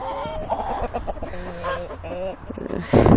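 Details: A crowing rooster being caught and held flaps, upsetting the other chickens, which cluck and squawk in agitated, overlapping bursts, with a man talking over them and a sudden rush of wing-flapping at the end.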